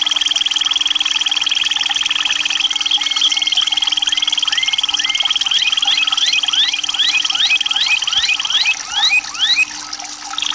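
White-rumped shama giving quick, repeated slurred whistles, about three a second, over a steady high ringing drone that sounds like insects.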